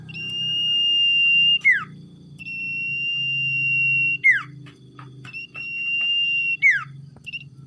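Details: A tame, lively cage-kept Common iora repeats a drawn-out, level, high whistle about every two and a half seconds. Each whistle ends in a quick falling slur. A low background hum continues throughout.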